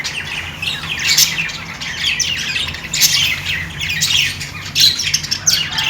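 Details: Budgerigars warbling and chirping, raspy high notes and occasional sharper squawks in irregular bursts over continuous soft chatter.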